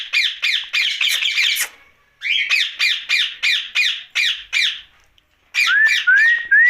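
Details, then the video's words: Ringneck parakeet kept as a pet, at night, giving a run of rapid harsh squawks, a steady series of evenly spaced screeches, then raspy notes mixed with three rising whistles. "Night Talking parrot Mitthu Ringneck"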